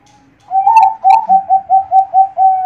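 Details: Zebra dove, perkutut bangkok type kept for song contests, gives a loud clear cooing phrase: a couple of rising opening notes, then a quick run of about seven even, soft coos ending in a longer drawn note; quiet indoor background.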